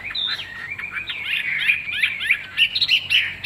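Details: Caged Chinese hwamei, fig-leaf-tailed with glossy plumage, offered for sale as a fine singer, delivers a rapid run of varied clear whistles and slurred notes, some rising and some falling, over about three per second.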